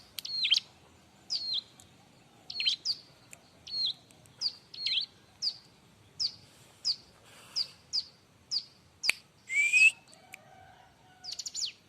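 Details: Bar-winged prinia in loud, busy song meant for training other birds: a steady run of sharp high downslurred chips about every half second, then a brief rising whistle and a final chirpy burst.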